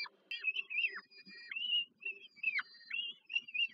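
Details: Peregrine falcon chicks during an evening feeding by the mother in Warsaw, Poland, July 2022: quieter, thinner whining notes, short and wavering, roughly three per second, some dipping sharply, over a faint hum.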